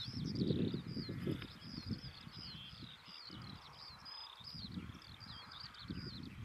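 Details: Woodlark singing in a tree overhead in the early morning in East Anglia, near displaying Stone Curlews on sandy ground: a steady run of liquid, fluty notes that slip downward and repeat in quick series, over low wind rumble.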